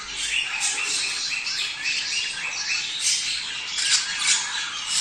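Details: Budgerigars chattering, a sound played to prepare male and female budgies and stimulate them to mate: dense, continuous high squawks and warbled chirps overlapping from several birds, with no pauses.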